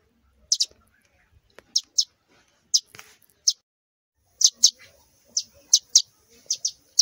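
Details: Two young sparrows fallen from the nest call with thin, high, piercing chirps, singly at first, then in a denser run of about ten notes over the second half.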